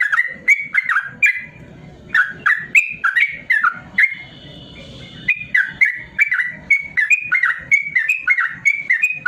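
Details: Yellow-vented bulbul singing a long rapid 'ropel' song used as a tutor for lazy caged bulbuls: quick bubbly, slurred notes in fast runs, briefly pausing mid-way under a faint steady tone, with sharp clicking sounds throughout.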